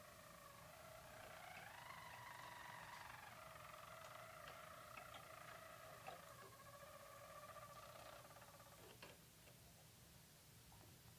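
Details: Four young Harzer Roller canaries, about six months old, training for song competition with hollow roll, bass roll, hollow bell and flute tours; a sustained low rolling trill in layered tones, stepping up then steady, over a steady background hum.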